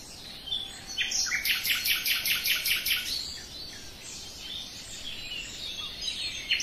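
A common nightingale sings a rapid burst of about eight loud, sharp repeated notes, then a few varied high chirps and whistles over faint background hiss.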